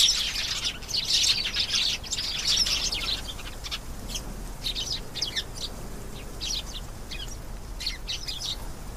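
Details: Canary singing a loud, dense high trill for the first three seconds, then softer scattered chirps and short twitters follow.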